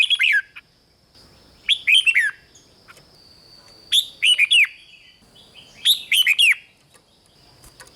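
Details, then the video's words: Red-whiskered bulbul in captivity, song played to rouse caged birds: four bright phrases of quick looping whistles, repeated roughly every two seconds, with a faint steady high tone throughout. "เสียงนกกรงหัวจุก ร้อง ริก เปิดให้นกฟัง ยั่วให้นกคึกจัด"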